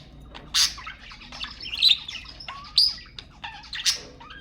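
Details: Budgerigars chattering to stimulate mating: loud raspy squawks roughly once a second, mixed with thin whistled chirps and a low, busy warble beneath.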